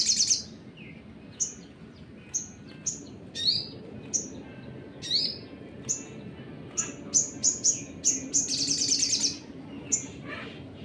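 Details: Sunbird song played as a lure to provoke other birds: a run of sharp, high whistled notes and short downward flicks, spaced about half a second to a second apart, ending in a rapid buzzy trill, over a faint low background hum.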